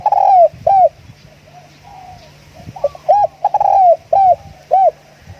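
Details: Decoy Spotted dove sings repeated phrases of clear, low hooked coos. Long drawn coos alternate with short clipped ones in an uneven rhythm, with a soft steady hum underneath.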